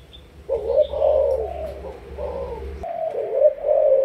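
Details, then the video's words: Spotted dove of Malaysian origin, a caged decoy bird, giving a run of low, rolling coos with a short hum under the first part. "Cu gáy Malaysia"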